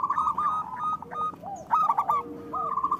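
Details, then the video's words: Local zebra dove song, meant to coax lazy doves into singing: soft arched coos mixed with quick stuttering notes, several voices overlapping, with faint clicks in the background. "Perkutut lokal gacor Suara Besar Panggilan Perkutut Agar Bunyi"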